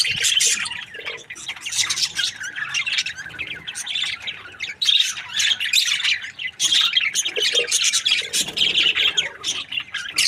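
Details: Happy breeding pair of Australian budgies keeps up a long, lively warble of high scratchy chirps, squeaks and chatter, rising and falling in loudness.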